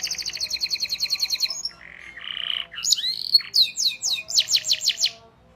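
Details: Canary tutoring song for young birds: a rapid high rolling trill, a brief buzzy section, then excited chirps and a row of loud repeated sweeping notes.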